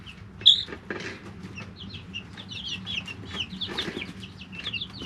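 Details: Several three-week-old chicks in a brooder, one loud sharp peep then a stream of softer high chirps, with taps and a low hum in the background.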